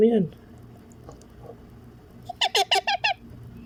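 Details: Pet baby Indian ringneck parakeet at feeding time. A person speaks briefly, then after a quiet pause the chick gives six rapid, raspy, rhythmic squawks in a tight series.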